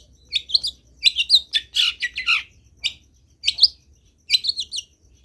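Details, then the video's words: Lively Long-tailed shrike song rich in fill-in phrases: scratchy chattering runs mixed with squeaky twitters, coming in groups with brief gaps. "CENDET GACOR BIKIN BURUNG CENDET LAIN IKUT BUNYI - MASTERAN CENDET GACOR FULL ISIAN"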